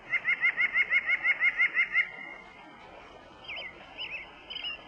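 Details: Common snipe giving a rapid run of about ten sharp, ringing notes over two seconds. After a pause come a few fainter, wavering calls.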